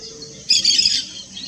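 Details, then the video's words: Yellow-chevroned parakeet song: a single shrill, scratchy burst of high chatter lasting about half a second, over quiet background hiss. "O canto do periquito de encontro amarelo."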